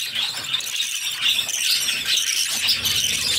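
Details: Six baby budgerigars being fed by their mother keep up a harsh, hissing, high chorus of begging squeals. The sound is steady throughout and swells slightly toward the second half.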